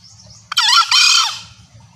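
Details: Female green junglefowl calling to draw males closer: a loud, harsh two-part screech, a short rising burst followed by a longer buzzy note that slides downward, all within under a second, over a faint low hum.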